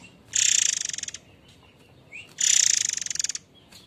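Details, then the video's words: Harsh rattling notes of a white-rumped shama (murai air mancur), a lure sound for training other songbirds. Two rasping pulsed bursts of about a second each, fading toward their ends, with a brief thin slurred note between. "Suara kasar andalan Murai Air mancur"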